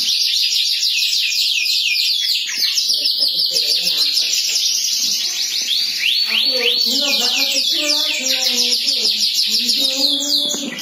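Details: Canary in long continuous song: fast high trills and rapid downward-sweeping notes, changing into buzzier rolling phrases midway, with faint lower sounds beneath.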